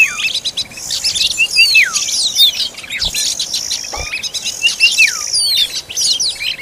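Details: Oriental magpie-robin at feeding time with its young: bursts of rapid high chirps and down-slurred whistles in two clusters, separated by short quieter gaps with faint clicks.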